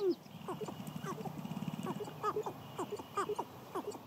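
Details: Spring lek of sharp-tailed grouse in Idaho, males dancing to win hens: a fast low rattle early on, followed by repeated short falling hoots and cooing notes every half second or so.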